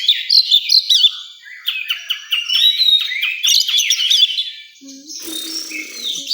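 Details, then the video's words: Oriental magpie-robin in a contest area: rapid chattering notes and slurred whistles in quick succession, then a softer stretch with other birds and a low murmur of people. "Suara kacer di area lomba"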